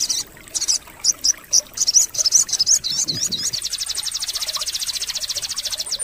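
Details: Sogon bird singing, used to coax silent birds into song: sharp high chirps in a loose series, then a fast, even buzzy trill repeated rapidly to the end, with a faint watery trickle behind.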